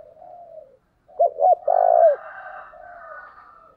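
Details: Spotted dove kept as a decoy, calling to lure wild doves: a faint low coo, a short gap, then two quick clipped notes and a loud drawn-out coo. Soft murmuring background sound.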